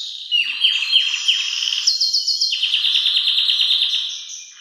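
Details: Loud Belgian canary song meant for training young birds, made of long rapid trills at high pitch that shift level in steps, continuous for several seconds with a brief pause midway.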